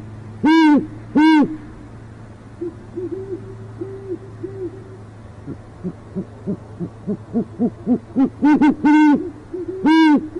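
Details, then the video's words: Great horned owls in northwest Oklahoma City, an urban pair; the male tries once more without success while the female is only heard. Two loud rasping calls, a stretch of softer quick low hoots building in pace, then a burst of harsh calls. "Altera heard not seen - Alessondra's OKC Great Horned Owl"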